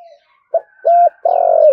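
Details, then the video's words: Spotted dove cooing in the 'thúc gù' style, deep 'giọng thổ' voice: after faint soft notes come a short note, a steady hollow coo and a long trembling coo that is cut off. "cu gáy thúc gù giọng thổ ĐẸP mã hót hay"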